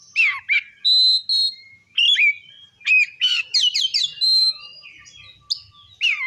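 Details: Singing Oriental magpie-robin in the ngeplong style, meant to trigger rival magpie-robins: varied loud whistles, including a held steady note, short downslurs and a quick series of slurred phrases with brief gaps.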